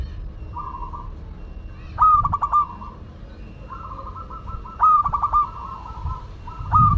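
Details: Zebra dove of the local Madura type in lively song: soft, drawn-out cooing notes that break into clipped stuttering pulses, with a louder phrase near the start, another midway and a third near the end, and quieter coos between.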